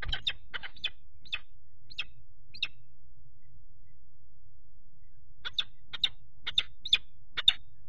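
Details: Peregrine falcon at its nest, 4 April 2008, as an intruding third falcon attacks the male on the grating and the female broods in the box. Rasping kek notes repeat in two loose series, the second louder and quicker, over a faint hum.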